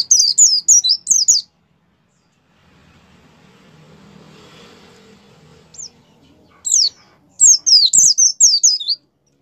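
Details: A white-eye sings 'gacor' to encourage kept birds to start singing: a fast run of thin falling whistles, several seconds of faint low rumble, one lone note, then another quick twittering burst.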